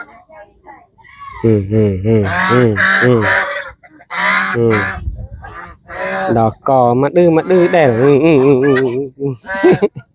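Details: Hungry domestic geese on a village farm in Cambodia honk rapidly in repeated short nasal notes, several birds overlapping during feeding, with a man's voice in the background.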